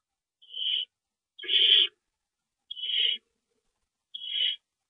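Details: Owl calling at 9:01 PM on March 28, 2012, while a rodent is delivered: four separate harsh, breathy screeches spaced roughly one to one and a half seconds apart in an otherwise quiet setting.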